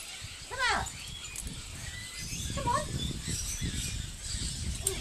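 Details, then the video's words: Corella talking at Silverton, NSW, on 25/6/10: one strong, slurred, voice-like syllable near the start, then a softer short utterance midway, with rumbling low background noise throughout. "Talking Corella"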